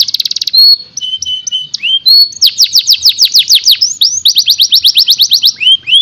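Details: Canary song recorded to train young canaries: a short rapid buzz, flat whistled notes and rising slurs, then a fast trill of down-sweeping notes, a brief pause, and another even rolling trill.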